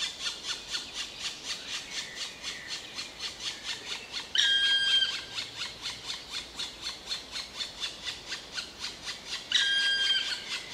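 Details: Black woodpecker producing a long run of rhythmic, rasping squeals, interrupted twice by louder, steady whistled notes held for about half a second each.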